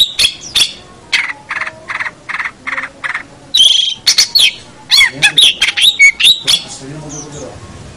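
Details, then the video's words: Long-tailed shrike singing on a bird-training recording: sharp clicks, then six raspy repeated notes at a steady pace, followed by squeaky whistles, twangy slurred phrases and harsh chips, trailing into soft low chatter. "Masteran Suara Pentet Cendet"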